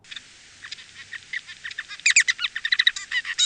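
Bengalese finch song: a rapid, jumbled run of short buzzy and clicking notes, growing louder and denser after the opening second, with no other sounds.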